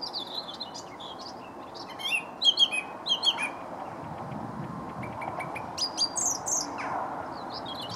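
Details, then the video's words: Song thrush singing beside a towpath near Stoke Lock on the River Wey, Guildford: short bright whistled and chirpy phrases, several notes in quick clusters around two to three seconds and again near six seconds, over steady low outdoor background noise. "Song thrush sings by towpath near Stoke Lock"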